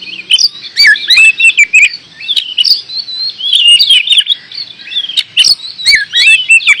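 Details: Oriental magpie-robin in Indonesia singing continuously: rapid, looping whistled notes that rise and fall, dense warbling runs and frequent sharp clicks. The phrases pour out almost without a break for several seconds.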